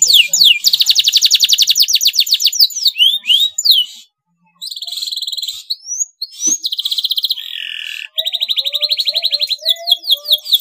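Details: Yellow male canary in breeding condition singing: long rapid trills of repeated notes broken by brief pauses, sweeping whistles, a buzzy low-pitched section and more fast trills at the end.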